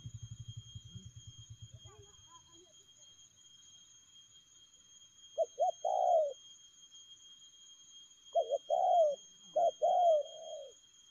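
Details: Spotted dove giving speedy "lèo gù" cooing. A low hum fades out, then after a quiet gap come quick clusters of short notes, each run ending in a drawn-out falling coo. Heard twice.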